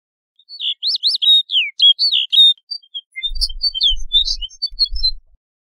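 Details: Snow bunting song: a bright run of warbled whistled notes in the first two seconds, then scattered thin high notes over a low rumbling noise.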